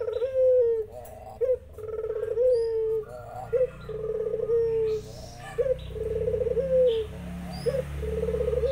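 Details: Zebra doves respond to a spotted dove's repeated vibrating coos. Each purring phrase bends downward before a short upturned note, roughly every two seconds, over a low hum with distant chirps.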